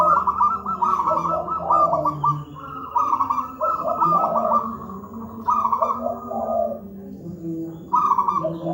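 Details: Zebra dove, local wild type, singing a thick, tightly spaced master song meant for birds not yet singing: long runs of rapid bubbling trilled coos mixed with lower notes, almost continuous, over a steady low hum.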